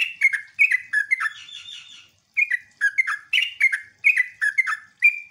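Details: Chattering lure song of a sooty-headed bulbul intended to provoke answering bulbuls: rapid slurred note clusters, a brief trailing buzzy rattle, a short pause, then the bubbling phrases resume in quick succession.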